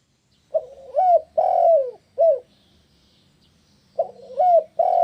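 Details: Spotted dove coos, played to draw answers from other doves. One full phrase of short note, rising coo, long descending coo and a clipped final note. A pause, then the next phrase begins.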